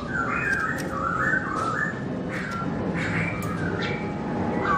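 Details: Laughingthrush of the black-throated species, singing in 2017 with its owner absent: wavering, rippling whistled phrases in a nearly continuous flow, with faint clicks and room hiss behind.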